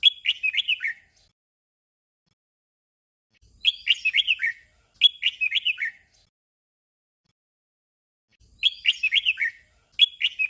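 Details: Red-whiskered bulbul giving a short doubled song: lively whistled phrases of rapid rolling notes, each phrase quickly repeated so they come in pairs, separated by several seconds of quiet.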